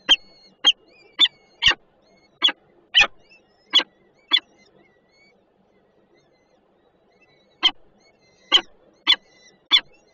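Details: Peregrine falcon at a Warsaw Żerań power-plant nest, 28 June 2022, with food being brought in: quick runs of rasping calls, a pause of about three seconds, then another burst of four calls.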